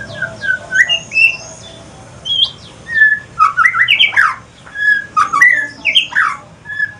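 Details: Talkative male white-rumped shama from Aceh, evening, shifting into pastol song: varied whistled phrases, high chips, slurred loops and rich warbled runs in quick bursts separated by short pauses.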